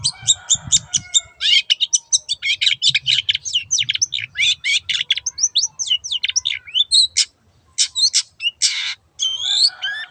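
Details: Long-tailed shrike in a long, varied outpouring of rapid chips, rising and falling whistles and harsh buzzy notes, almost without pause, over a low background hum.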